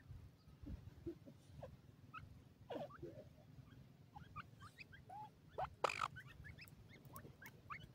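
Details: Pheasant chicks being raised for profit, playing: scattered soft peeps and short rising chirps from several birds, a few louder arched notes, with rustling bursts and steady low background hum.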